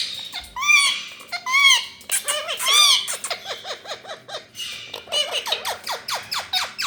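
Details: Rose-ringed parakeet from India giving loud arched, harmonic squawks in pairs, then a run of quick descending squeaky notes about four per second, followed by more bursts of chattering squawks.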